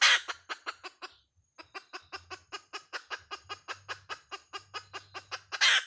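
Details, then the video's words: Hen calling in a brisk repeated cluck, about four notes a second, opening and closing with loud rasping bursts, with a faint low hum underneath. "Suab poj qaib Dib tsauj tuaj"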